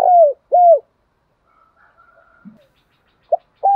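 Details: Spotted dove used as a lure to provoke rival doves to fight: two loud, clear coos falling in pitch at the end, a pause with soft murmuring notes, then a short note and the start of another coo.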